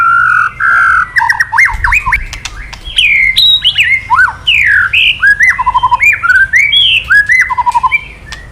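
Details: Male white-rumped shama in full kretekan, meant to stir another male to sing: loud varied whistles, swooping slurs and quick rolling trills, one phrase after another with barely a pause.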